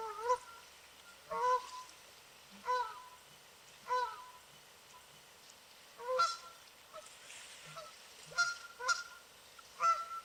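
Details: Many wild Canada geese swimming on a lake and calling out to each other, loud nasal two-part honks repeated roughly every second or two, overlapping from several birds.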